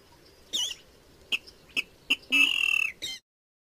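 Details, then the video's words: Water rail used to lure birds: scattered short, sharp squeaky notes, then a drawn-out nasal squeal and a final brief squeak, against near silence. "Tiếng gà nước ấn độ ăn chim nhất"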